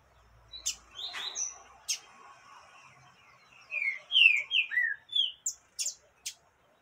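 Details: A female yellow-bellied seedeater calling to stir up a male, a few scattered high chips, then a quick series of clear downslurred whistled notes in a tight burst, ending with sharp isolated chips.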